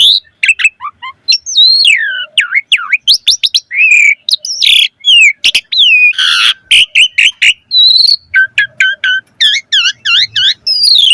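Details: Asian pied starling singing at length with rich variety. Dense runs of sharp chipping and whistled notes, swooping slurs and a harsh noisy burst, ending in a string of repeated V-shaped whistles.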